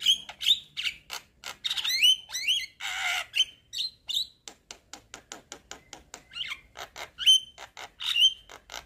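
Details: Javan myna, white-eyed and nodding, sings chatter meant to coax a stalled myna into song; dense clicks, a long harsh rasp, rapid ticking series and recurring bright upward whistles.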